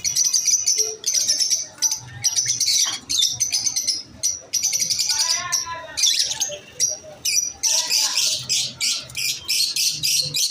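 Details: Masked lovebirds chirping in a dense, continuous stream of shrill, high chirps and short buzzy bursts, several overlapping, with brief pauses near the middle and a human voice faintly mixed in.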